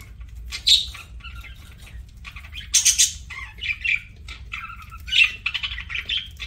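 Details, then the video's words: Pet budgerigar chirping while eating: scattered scratchy chirps and short squawks in bursts, with quiet gaps between and a low steady hum underneath. "PARAKEET EATING SOUNDS"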